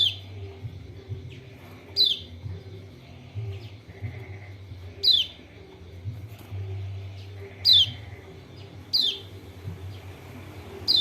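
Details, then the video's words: Lombok white-eye lure call meant to provoke a lazy, quiet bird to answer: sharp high descending chirps repeated at uneven intervals, about six in total, over faint low hum and soft background chatter. "PANCINGAN TERBAIK BUAT PERANSANG KECIAL KUNING MALAS BUNYI ( burung pleci lombok)"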